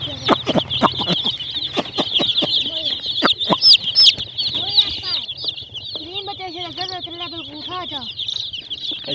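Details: A brood of colourful hen chicks keeps up shrill overlapping cheeping, with quick sharp taps early on and a run of lower, bouncing harmonic calls later.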